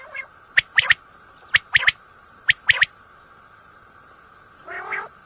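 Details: Common quail calling at night in a recording used for hunting: crisp three-part phrases of sharp, high clicking notes repeat about every second over a steady background hum, ending in a rough nasal burst.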